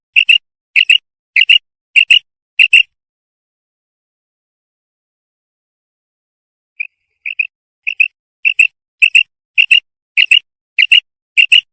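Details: Female common quail calling: sharp, clicking double notes about twice a second, a four-second pause, then a steady series again; nothing else heard; the sound is offered for luring and hunting quail.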